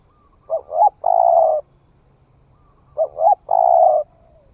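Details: Spotted dove newly come into call, tested out in the forest: two phrases of soft low cooing, each a quick double note rising at its end followed by a longer, level, breathy hoot, with quiet gaps between.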